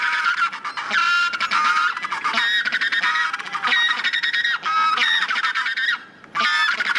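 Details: Erect-crested penguins give harsh, braying calls in rapid pulsed bursts, phrase after phrase with barely a break, with other birds seemingly overlapping them.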